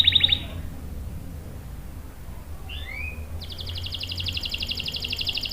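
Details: Vigorously singing canary, used to provoke and train young and silent males: a brief trill ending, a quiet gap with two soft slurred chirps, then a fast, even, high rattle-like roll lasting about two seconds over low hum.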